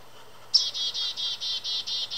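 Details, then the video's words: A Black-capped Chickadee perched on a small branch hidden in a bush in winter, with snow on the ground, in Southern Ontario, Canada, gives a quick, loud call: a sharp high note, then about eight harsh, buzzy dee notes. "A Black-capped Chickadee Calling In The Winter"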